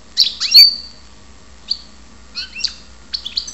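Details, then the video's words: European goldfinch from Ptolemaida, Greece, giving a few separate high chirps and short twittering notes spaced by brief silences, one note drawn out into a thin whistle. "karderina Goldfinch"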